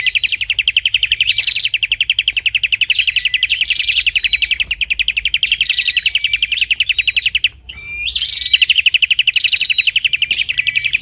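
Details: Dense, unbroken prinia chatter: a fast machine-like series of high ticking notes with bright upslurred whistles inserted every second or two, and a brief gap near the eighth second before the trill resumes.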